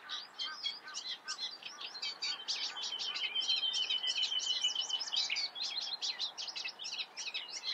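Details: Eurasian reed warbler song: rapid, jerky chattering with repeated scratchy notes; midway through, a clear, thin, drawn-out whistle runs through the phrases before the chatter resumes.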